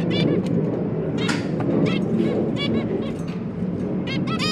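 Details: Zebra finches, parents tending three newly hatched babies, 1 October 2022; repeated nasal harmonic calls come through a strong continuous low rumble and noise.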